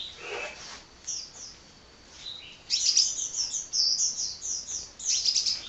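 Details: Hummingbird (kolibri) singing non-stop: high, thin twittering phrases. A lower buzzy note comes first, then bursts of sharp chirps and trills from about three seconds onward, with brief pauses between.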